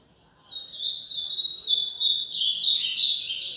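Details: An ultramarine grosbeak, azulão mineiro, delivering a fast song: a rushing series of high, slurred whistled notes that swell in loudness and run on without a break, with light background hiss.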